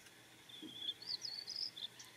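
A young White-crowned sparrow's soft song: a thin, high, level whistle, then a quick run of higher, wavering chirpy notes, over a faint background hiss.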